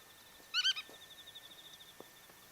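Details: Black-tailed godwit, a passage migrant, recorded in Kawagoe and on Yonaguni Island, Japan, gives a quick burst of three nasal, upslurred notes, with a faint, thin, high trill running on behind.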